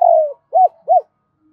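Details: Double-voiced call of a spotted dove used to stimulate decoy birds: one long, gently falling coo followed by two short arched coos, clean and close.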